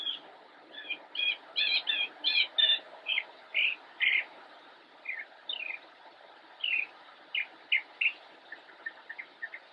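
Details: Bush-perched immature Northern mockingbird in Cabarrus County, North Carolina, autumn 2016: repeated buzzy stacked notes early on, then distinct chirps of changing shape, ending in quick faint ticks.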